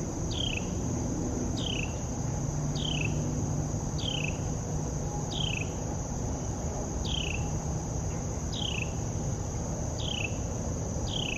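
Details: A Carolina wren calling in the morning at Tuckahoe Creek Park, repeating a sharp, high, downslurred note about every second and a half over a steady insect drone and low background rumble.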